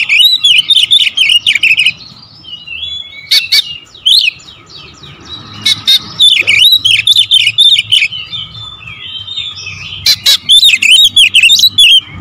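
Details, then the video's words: Kacer (Oriental magpie-robin) lure song in the dense 'tembakan rapat' manner: repeated clusters of fluty, dipping whistles at about four notes per second, broken by harsh rasping strokes and a few brief lulls. "PANCINGAN KACER SUPER POWER TEMBAKAN RAPAT"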